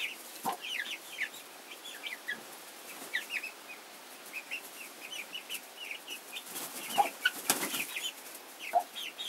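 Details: Domestic chickens, a hen with her chicks: quick high peeps repeated in irregular bursts, several birds calling over one another, with occasional lower notes and some broadband rustling.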